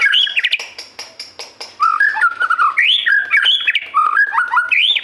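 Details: Loud, varied white-rumped shama song: clicking and chattering notes, then a rapid run of looping whistled phrases rising and dropping in pitch.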